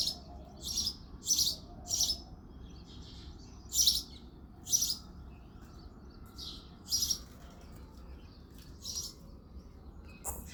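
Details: Male house sparrow singing and chirping early on a February morning: a long series of about a dozen loud, high cheeps, some in quick pairs, separated by brief pauses, with a low hum behind.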